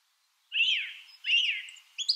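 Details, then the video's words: Song thrush (Turdus philomelos) phrase repeated twice: a rich, slightly harsh warbled whistle, then a brief high note at the end. "Song Thrush Bird Sound"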